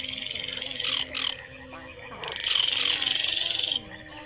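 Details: Baillon's crake at night producing a long, evenly pulsed dry rattle that runs for over a second, then stops and starts again, over soft background hums.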